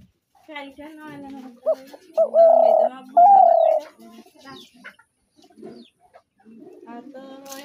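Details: Nasal harmonic sounds open, then a spotted dove gives short rising notes and two long level coos, trailed by low scattered cooing and faint rough notes.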